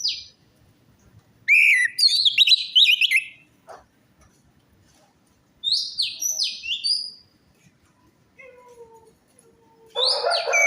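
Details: Orange-headed thrush song serving as a lure to restart a silent or stressed bird: scratchy twittering phrases alternate with high, sharply falling whistles, plus a short harsh burst near the end.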